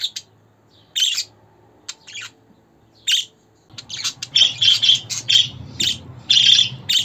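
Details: Pet budgerigar sounds meant to cheer a caged budgie and help young or newly arrived birds settle in: short harsh chirps and squawks in scattered bursts, sparse at first, then denser and louder after three seconds, over a low indoor hum.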